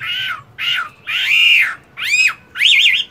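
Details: Caged hwamei in moult during a morning singing session: five separate loud, drawn-out whistled phrases, arched and slurred, the last a wavering warble, with short silences between.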